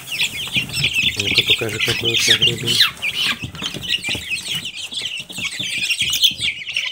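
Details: Many Silkie chicks cheep in a steady high chorus of short falling notes, with a faint human voice murmuring underneath.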